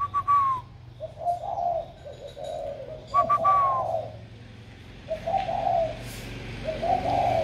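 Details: Spotted dove, a caged bird that has just found its warm voice, recorded 16 February 2020, gives repeated phrases of soft low coos, each led by a short sliding higher note, with pauses between.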